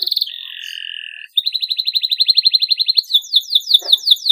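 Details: Canary song, used to stimulate silent canaries into singing: steady whistled notes open into a fast, even trill. It then shifts to rapid, repeated downward-sweeping buzzy phrases, which are loud and sustained without a break.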